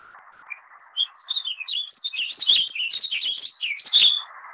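A Warbling Vireo sings one long, rambling warble of quick slurred notes, rising and falling for about three seconds over a faint low hum.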